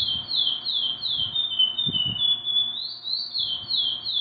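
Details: Sustained whistled song of a curió (chestnut-bellied seed finch), a chain of downward-sliding fluty notes that dips lower mid-phrase and climbs again near the end; a few soft low knocks in the background.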